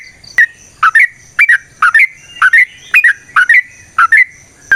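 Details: Trucukan, the Sooty-headed bulbul, singing as a lure: short paired bubbly whistles repeated about every half second, each note dipping then rising, with a faint high steady tone behind.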